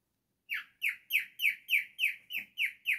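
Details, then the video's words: Cockatiel giving a rapid series of nine harsh, identical downward-sweeping calls, evenly spaced about three per second, loud and piercing, with no other sounds. "Naughty Cockatiel singing"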